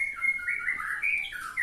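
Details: A caged white-rumped shama (murai batu) that sings readily at home but jumps about nervously at contests sings a run of clear, rich whistled phrases, slurring up and down in a high register, with no other sounds.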